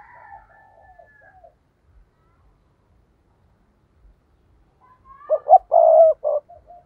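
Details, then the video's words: Decoy spotted dove used to stir wild doves into answering: one loud, low cooing phrase of three or four rough, hollow notes ending in a drawn-out coo, after a fainter, higher dove-like call at the start. "Chim cu gáy mồi chuẩn thúc kích bổi nhanh nổi hiệu quả ll Chim cu mồi"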